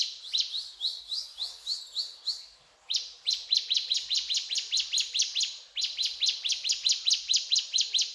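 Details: Mountain tailorbird singing loudly, a fast series of sharp high chirped notes about eight a second, delivered in long bursts of repeated rising-falling phrases with brief pauses between bursts.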